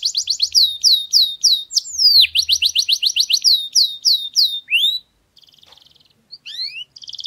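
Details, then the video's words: Song of a canary, used to train a young bird to sing: rapid high chopped notes in a steady run, then a fast dense trill burst. Quick syllables and a rising whistle follow, then a softer buzzy stretch and short rising phrases. "تعليم الكناري التغريد من الصفر"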